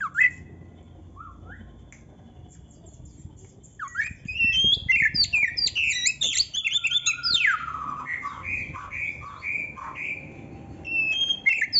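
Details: Oriental magpie-robin song intended for training other songbirds: a few scattered whistles, then a long busy sequence of varied chirps and a falling sweep leading into evenly repeated mid-pitched notes.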